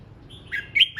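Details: Red-whiskered bulbul practising its voice: a brief run of bright, sliding whistled notes, rising and falling quickly in about one second.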